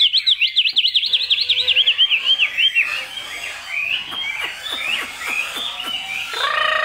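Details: Chinese hwamei kept caged, singing 'cao cầu' song: an opening trill of quick, evenly wavering whistles, then softer slurred notes mixed with sharp clicks, ending on a loud, bright whistle.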